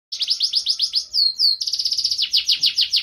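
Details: Singing canary in lively gacor style with ornate cengkok, rapid trains of downward-sweeping chirps, two drawn-out falling whistles midway, then fast repeated notes, all high-pitched and loud.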